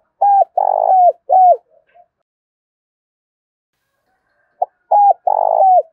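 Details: Spotted dove cooing, used daily to lure and train birds, a fine voice calling; two bursts of low mellow coos, each a few short notes then a longer drawn coo, separated by about two and a half seconds of silence.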